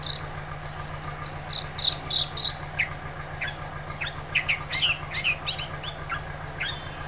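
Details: Long-tailed shrike in full 'gacor' song to provoke a silent shrike: a rhythmic series of high, clipped notes at first, then lower, quick down-slurred chirps scattered irregularly, with a steady low hum.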